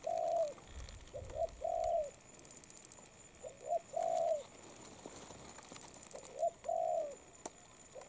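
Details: Moulting spotted dove repeating a paired coo, a short note followed by a longer level one, four times with short gaps and light background hiss.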